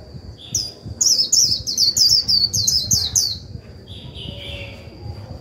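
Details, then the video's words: Decoy white-eye performing 'líu' song to prompt newly caught birds to sing: a fast string of about ten high, zigzag chirps over two seconds, followed by a softer lower warble, all over a steady thin high tone. "Khuyên mồi líu vừa phải kích bổi líu ngay!"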